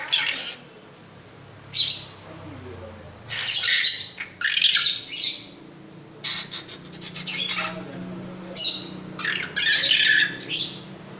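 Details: A loud long-tailed shrike sings a series of harsh, squawky bursts of varying length, spaced irregularly, some with thin, squeaky upper tones. Short quiet gaps separate the phrases.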